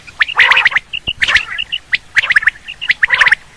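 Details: Quail (batair) hunting call: bursts of harsh, gargling chatter broken by short, clear whistled notes, about four bursts in under four seconds, with no other sounds.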